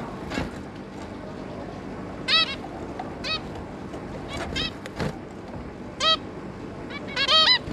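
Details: Zebra finches, a pair plus three juveniles, 11 May 2022, giving sporadic toy-trumpet beeps, some faint and distant, louder overlapping calls near the end, over continuous low background noise.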